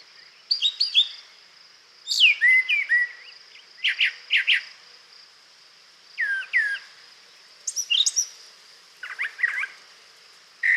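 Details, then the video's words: A Brown Thrasher sings for 40 seconds without repeating itself once, a string of varied, rich phrases, some doubled, with short pauses between bursts, over a steady high insect drone. "that was a brown thrasher singing for 40 seconds and it did not repeat itself once during that time"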